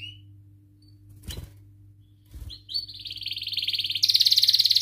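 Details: Canary song intended as a training lure for young birds; after a short whistled note and two soft knocks, the singer builds into an accelerating buzzy trill that grows louder and denser at the end.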